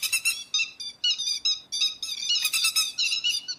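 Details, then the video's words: Grey-headed lapwing lure sound for night net trapping: a dense stream of rasping, ringing notes delivered quickly, rising into a louder cluster midway, with no background noise. "Tiếng chim te te vàng mồi cực chuẩn mới nhật không tạp âm, Tiếng chim bẫy lưới đêm"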